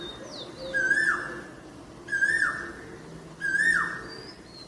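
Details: Asian koel calling: three loud whistled notes, each rising then sliding down, repeated about every 1.4 seconds, with faint higher bird chirps and a steady low background hum.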